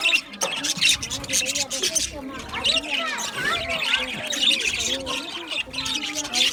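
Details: Budgerigar flock in an aviary producing continuous chattering warble, mixing sharp high chirps with lower gliding whistled notes, many birds heard at once.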